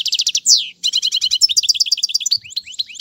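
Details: European goldfinch singing to teach young birds, from a tutoring session listing tiwawati, mandolin and casta casta styles: rapid liquid twittering, a buzzy downward slur, then dense rolling trills and scattered sweet chirps.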